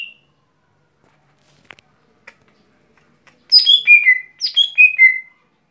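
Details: Lesser green leafbird (gotri) giving its daily song: after a few soft clicks, two quick bursts of bright, sweet whistled notes, each phrase sliding downward in pitch, with clear quiet between.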